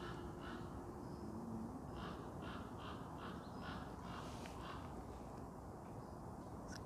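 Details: Common raven calling close by in woodland near Bristol: a run of deep, throaty, harsh croaks repeated rapidly for a few seconds, over a quiet outdoor background.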